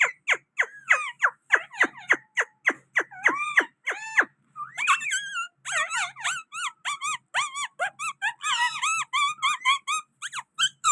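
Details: Pakistani green parrot at a window, voicing a fast series of sharp, descending squeaky notes, then a run of warbled, chattering rising-falling calls, roughly three to four notes a second, indoors.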